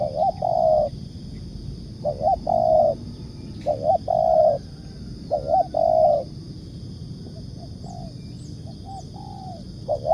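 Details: Spotted dove, 'ngukuk' cooing used as a trapping lure: a steady series of hollow phrases, a short bouncing pair of notes then a held coo, four clear repeats before softer trailing coos, with rural background hum.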